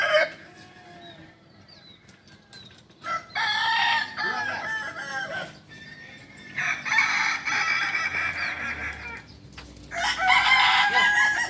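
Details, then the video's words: Kukuak balenggek roosters compete in a crowing practice event at Panyakalan, Solok. Three separate bursts of layered crowing rise out of quieter crowd noise, the last one the loudest. "Latberan ayam kukuak balenggek di panyakalan solok"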